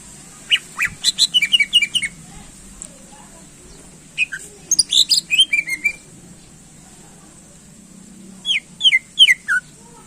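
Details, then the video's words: Greater green leafbird singing to stir contest birds: short clusters of clear slurred whistles and sharp chips, separated by pauses, ending with a few descending whistled notes. "Cucak Ijo Gacor Ampuh Menaikkan Emosi Burung Lomba"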